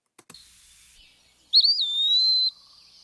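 One clear, high Eastern Wood-Pewee whistle, about a second long, slurring up and then easing down, a plaintive 'pee-wee'. Faint clicks come just before it.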